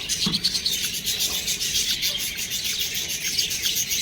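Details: Baby budgerigars produce a hoarse, rasping chatter of rapid high chirps, constant and crowded, with one soft low thump early on.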